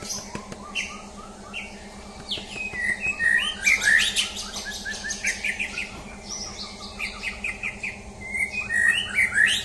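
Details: Champion white-rumped shama tested for mental strength. Dense, energetic song of fast chattering trills, sharp high notes and fluty whistles builds in intensity past the midpoint. A low background hum is present.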